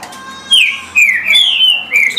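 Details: A green-winged saltator (trinca-ferro) sings at a rate of 17 songs per minute: loud, rich whistled phrases of slurred notes that rise and fall, delivered in quick bursts with short pauses between.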